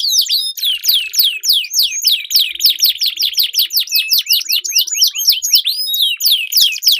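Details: Duelling canaries whose song serves as a lure for training competition birds: overlapping, rapid, downward-sweeping chirps repeated in dense rolls over a buzzy sustained trill.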